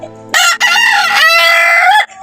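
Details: A thin-bodied fighting rooster kept with hens and pigeons at a rooftop garden gives one loud, harsh crow lasting about a second and a half, with a brief break near the start and a drawn-out ending.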